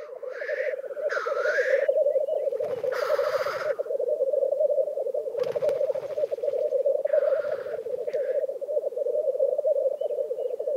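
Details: Black grouse at a lek in Vinje, Telemark, Norway. A continuous low, bubbling, cooing burble runs throughout, broken by several loud hissing sneezes from the displaying birds.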